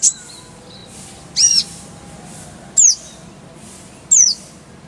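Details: Konin (Oriental white-eye) in a masteran training recording gives sparse, very high, thin whistled notes, each sliding downward, roughly one every one and a half seconds over a quiet background.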